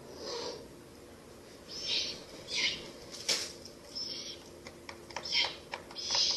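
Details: Owl at a nest in a ruin on the night of 30 April to 1 May 2024, owlets feeding on a rabbit; sharp dry clicks snap out irregularly between breathy hissing bursts, some bursts almost a second long.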